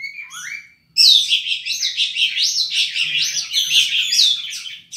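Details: Oriental magpie-robin (kacer) singing persistently with a varied mimicry repertoire: a few rising whistled notes, then a sudden loud, dense stream of rapid sweeping whistles and chatter, with a faint low hum behind.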